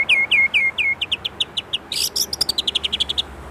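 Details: Indonesian white-rumped shama (murai batu) singing an 'isian' phrase: four downslurred whistles, a loud harsh burst, then a fast run of about fifteen short bright notes at an even pace.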